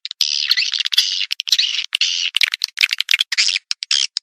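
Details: Swiftlet calls meant to attract swiftlets: dense, continuous raspy chattering and twittering with quick clicking notes, nearly unbroken throughout.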